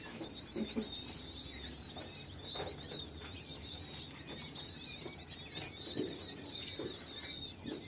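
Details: Several king quail chicks peep almost without pause, a dense stream of high, thin whistled notes, with soft rustling and a few low thumps beneath.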